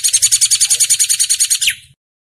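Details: Hair-crested drongo, a master recording meant for training cage birds: a fast, steady series of sharp high chirps, roughly eight per second, closing with a brief downward-slurred note before fading.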